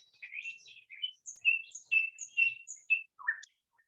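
Nightingale song: a quick run of varied, rich phrases of high whistles, chirps and short warbles, each unlike the last, with nothing else heard.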